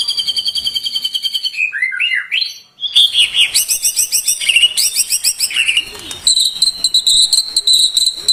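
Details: White-rumped shama singing a full varied song meant to lure other shamas, mixing high thin trills, looping whistles and quick chattering phrases with short pauses between bursts.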